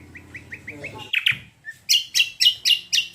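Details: Greater green leafbird lure song to set other birds singing: five soft, even chirps, two sharp slurred notes, then five loud, ringing whistled notes repeated about every quarter second.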